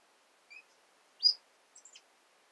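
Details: Female red-cheeked cordon-bleu, a kept bird, singing: a soft high note, then a louder rising squeaky note, then a quick cluster of thin high twitters, in an otherwise quiet setting.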